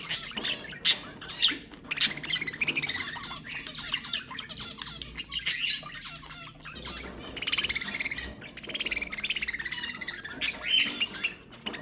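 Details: Budgerigar chatter meant to stimulate mating, a long stretch of continuous warbling, squawks and clicking notes with louder harsh bursts scattered through, several birds apparently calling together.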